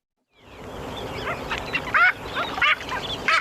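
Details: Marbled Godwits on Santa Barbara County beaches or mudflats, California, common there in fall and winter, give loud, nasal, laughing calls in short overlapping bursts over a steady background hiss.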